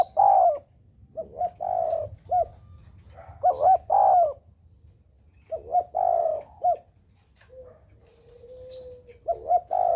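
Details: Spotted dove giving a full, round coo: low mellow hooting phrases of several notes, repeated every few seconds, with a faint high chirp from another bird now and then and a steady high whine in the background.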